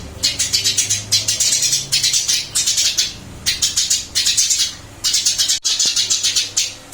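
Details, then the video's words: Caged Eurasian tree sparrow that has been moved to a new cage, chirping almost nonstop in dense, buzzy bursts of rapid notes, with a single sharp knock partway through. "Burung gereja pindah sangkar Alhamdulillah tetap gacor mase"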